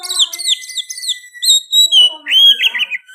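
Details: Oriental magpie-robin song featuring sooty-headed bulbul phrases: rapid chattering whistles, then a loud sweeping whistle and a burst of rich warbled notes.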